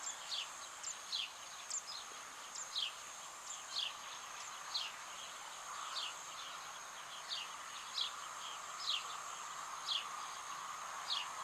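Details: Zitting Cisticola (Cisticola juncidis cisticola) in the Ebro Delta, Spain, August 2015, repeating sharp, high 'zit' notes about once a second, steady and insistent, over a constant insect-like hiss and soft background rumble.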